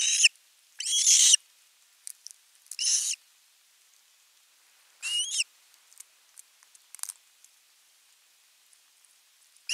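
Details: Osprey at nest camera 3 in Finland on 10 August 2021, calling at length for fish. Several harsh, screechy high calls come in irregular bursts with a banded, rising tone, separated by short quiet gaps and faint clicks.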